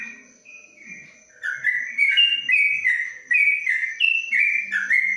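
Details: Yellow-vented bulbul in a covered cage, Kebumen, Indonesia, starts quietly and then breaks into loud ropelan panjang song, a fast chain of rising and falling whistled notes.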